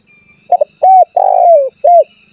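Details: Single spotted dove phrase used to provoke rival doves into calling: quick doubled note, round level coo, long coo sinking in pitch, one short coo to finish, fairly clean background.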